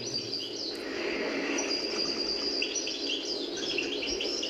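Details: A captive-bred European goldfinch sings a fast, tinkling stream of high twittering notes and liquid trills, seemingly improvising and perfecting an old regional song style from the 1970s, with a steady background hum.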